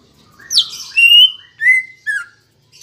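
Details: Green leafbird song used as a lure to get kept birds singing: a high squeaky note, then drawn-out whistles falling and gliding, with thin harmonics above.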